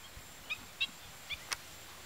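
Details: A migrant Marsh sandpiper at Tancat de Milia, L'Albufera, Spain, gives three short, thin, high notes about half a second apart, then a sharp click over a low rumble.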